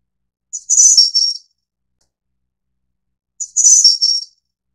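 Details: A Snowy-browed Flycatcher of the Taiwan endemic subspecies Ficedula hyperythra innexa gives two very high, thin, hissy phrases about three seconds apart, each under a second long, with silence between.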